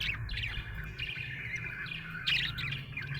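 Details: Happy budgie chirping as a steady warbling chatter with a louder burst near the end, set against a noticeable low hum.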